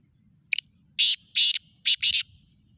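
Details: Kala teetar, or black francolin, recorded in Khushab, calling in a harsh, scratchy rhythm. A brief opening note is followed by two drawn-out rasps and a tight double note at the end, with little background noise.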